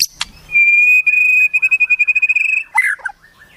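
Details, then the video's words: A white-rumped shama, in a tutoring recording with wild-bird fill-ins, gives a long steady pure whistle held almost two seconds. A quick rattling trill of about a dozen notes follows, then a short harsh burst. "Masteran Murai, Isian Burung Alam Liar"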